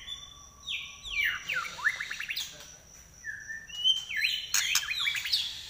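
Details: Trek song of a White-rumped shama, kept bird with a shrill nyelit voice: high steady whistles dropping into rapid descending trills, then a second run of bright sliding notes and sharp chips.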